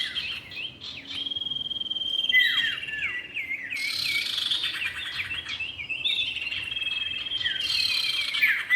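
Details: Male and female common iora heard as a trapping lure: long sustained high whistle with clusters of falling slurred notes and bursts of buzzy chatter, lively and nearly continuous throughout.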